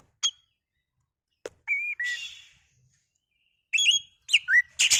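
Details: Kacer, the oriental magpie-robin, singing as a lure to make another bird sing: sparse sharp chips, a level whistle, a hissy burst, then lively looping whistled phrases ending in rough noisy notes.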